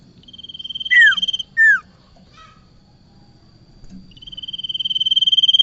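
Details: Bar-winged prinia lure for trapping: a steady pulsed trill building in volume, two loud downward-slurred whistles, a brief soft chatter, a pause, then the pulsed trill starts again and swells.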